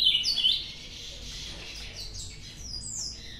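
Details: Ultramarine grosbeak from a recent singing challenge, delivering a quick run of clear whistled notes, the loudest early, then a string of sliding, mostly descending high phrases with short gaps, over a quiet low hum.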